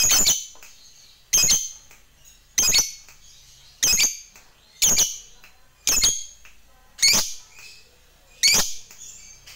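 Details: Fighter lovebird calling a rival: a steady series of eight loud, grating, high squawks, one roughly every second or so, each note short and harsh with a brief trailing tail.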